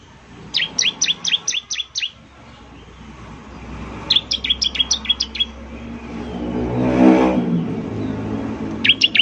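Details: Bar-winged prinia (ciblek) lure song: short bursts of quick, high, downward-slurring chirps separated by gaps, with a passing vehicle rumbling in the background midway.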